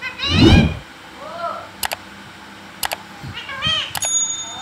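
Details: Pet green parrot talking: a loud burst followed by several bent, rising and falling harmonic calls, with sharp clicks scattered through the background.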